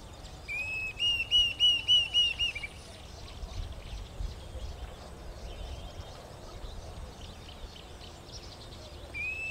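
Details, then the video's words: A Diederik cuckoo in Bahir Dar, Ethiopia, on 17 October 2022 gives a quick run of about seven clear, high, arched whistles, then starts again, over faint chatter from other birds and a low rumble. "Dideric Cuckoo calling"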